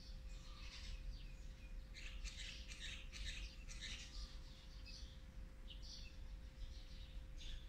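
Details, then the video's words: Olive-backed sunbird nestlings of the fourth brood being fed on day 18, 8 March 2020; repeated thin high chirps and squeaky calls in quick bursts over steady low background hum. "นกกินปลีอกเหลือง รุ่น๔ ป้อนอาหารวันที่๑๘"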